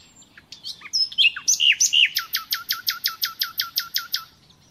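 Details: Nightingale singing for captive-bird training: scattered chirps and rich slurred whistles, then about fourteen loud, evenly spaced descending notes repeated in a steady series.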